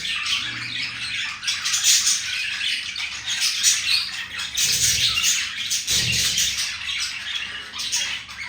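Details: Green male budgerigar courting a female, with a busy, raspy warble of squeaks and chirps, rising to louder scratchy bursts, plus a faint low knock near six seconds.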